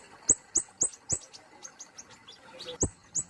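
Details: Series of bright, piercing high chips from a plain flowerpecker, about four per second, gradually fading into softer ticks, with one louder note near the end.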